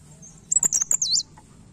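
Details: Newly caught blerengan bird already singing energetically: a single very high, thin twittering burst of rapid squeaky notes lasting under a second, with a faint low hum in the background.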